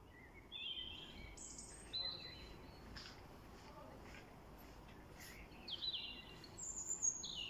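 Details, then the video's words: A bird at night gives short high whistled phrases, some sliding downward, scattered over several seconds against a steady low background hiss. "GECE KUŞ SESİ"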